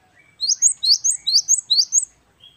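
Great tit singing a fast, bright two-note phrase, repeated about four times in two seconds, the high ringing notes rising and falling.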